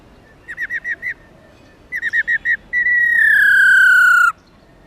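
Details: Female black-throated laughingthrush, subspecies lugens, calling 'ro ro' to excite males: two quick bursts of five clipped notes, followed by a long, loud, slowly falling drawn-out whistle.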